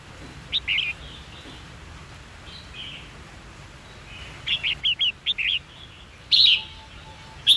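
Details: Red-whiskered bulbul fighting song for training young birds to pick up song: a quick chirped note, a pause, then a rapid run of five short whistled notes and two louder warbled phrases over low hiss.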